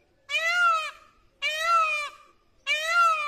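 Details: Peacock calling at Tharparkar, Sindh, Pakistan: three loud, nasal, meowing wails, each lasting about a second, rising slightly then falling, spaced a little over a second apart, in a quiet setting.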